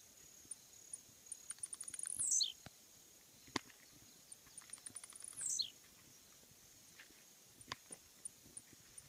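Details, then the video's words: Blue-black Grassquit (Volatinia jacarina) song: two short bursts of quick dry ticks leading into a high buzzy note that slides sharply downward, about three seconds apart, over a steady high insect-like whine and scattered clicks. "Cantos Del Arañero Silbón, Semillero Volatinero Y Pirincho."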